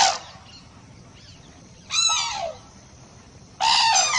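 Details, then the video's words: Loud, raspy crane calls: a sharp burst with a falling tail near the middle, then another strong grating burst at the end, with a trailing call fading at the start and quiet hiss between. "សំលេងសត្វគ្រៀល Cranes Sounds"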